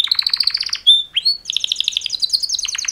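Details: Two male canaries singing a mating call song: a fast pulsed trill high in pitch, a brief pure whistled note and a short upward slide, then another rapid, bubbling trill that runs to the end.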